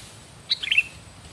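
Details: Sooty-headed bulbul giving a single short call: a quick cluster of bright chirped notes under a second long, over quiet low background hum.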